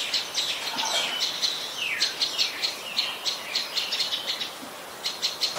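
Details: Common Tailorbird adult recorded 12 February 2023 in Ubon Ratchathani, Thailand, where it is a common resident: bright high chirps in quick runs, with a long downward-sliding whistle and overlapping calls.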